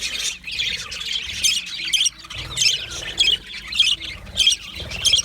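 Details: Budgies, the Australian parakeet, giving short bursts of scratchy high chirps and squawks in pulses about every half second, chattering over one another.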